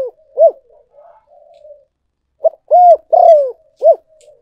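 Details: Spotted dove coos used as a luring decoy. Soft low mutters and a lone short note lead into a full phrase: a clipped note, an arched coo, a rolling downward coo, and a final short coo.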